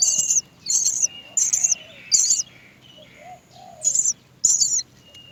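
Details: Young Great myna at the nest begging its mother for food with shrill, squeaky cries in pairs and short runs, separated by brief pauses, with faint low notes between.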